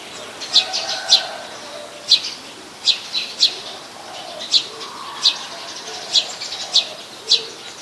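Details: Brown-throated sunbird recorded 13 January 2021 at Ubon Ratchathani, Thailand: clear, sharp, high-pitched chip notes, single or in quick pairs, about every half to one second, with faint lower background twitters.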